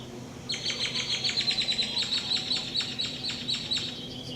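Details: Unidentified bird described as weird, recorded in Atlixco, Mexico: a rapid series of squeaky, high chattering notes, about four per second for some three seconds, over faint background hum.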